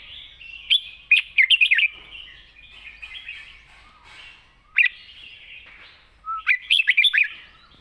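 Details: Red-whiskered bulbul singing in the wild style with long phrases and a light voice: bursts of quick warbled, bubbling notes around 1 to 2 seconds and again near 6.5 seconds, separated by soft chattering in quiet surroundings.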